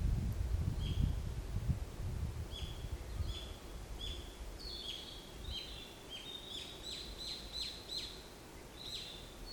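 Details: Wild birds singing in the forest at the Pola Museum of Art: short bright chirps and downslurred tweets, sparse at first, then quickening into dense overlapping phrases, over a low rumble of wind.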